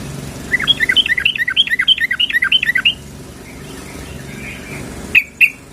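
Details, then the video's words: Sooty-headed bulbul female calling to a male, a rapid run of bright chirping notes in paired, slightly descending pairs for about two and a half seconds, then quiet background and two sharp closing notes. "SUARA BURUNG TRUCUKAN BETINA MEMANGGIL JANTAN"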